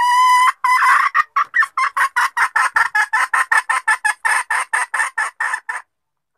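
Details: Female red junglefowl lure call, used for hunting wild males. A brief harmonic tone opens, then about twenty rapid clucking notes follow, roughly four per second, steady in pitch, then stop abruptly.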